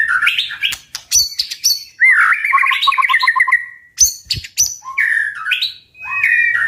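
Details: White-rumped shama singing forcefully in the 'tach' style to stir birds to fight: loud whistles and clicks, then a fast rattling run of about ten evenly repeated notes, followed by more whistled phrases.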